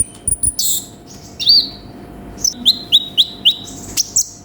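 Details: Sunbird (konin) singing with varied inserts as a training recording: a few high ticking notes and a brief harsh burst, then a rising whistle, then five evenly spaced sharp chirps sliding down, with a constant faint hum.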